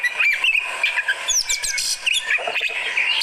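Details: Fighter-type Oriental magpie-robin in reactive song: bright twitters and slurred whistles, a cluster of rapid thin high notes, then more varied chirping.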